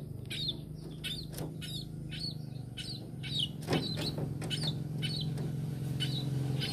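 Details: Tame sparrow giving rhythmic, high, sharply inflected chirps about three per second, steady and repetitive, over a strong low mechanical hum.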